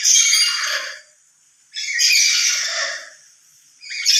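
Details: Loud lory calls given out of emotion, louder alone than with other lories. Two drawn-out, rasping screeches with a low droning undertone, and a third starting at the end.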